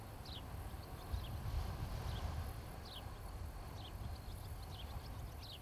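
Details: Nest camera overlooking an osprey couple in Charlo, Montana, late afternoon of 26 July 2018. Short, high, descending chirps repeat irregularly about every half second to a second, over a strong low rumbling background.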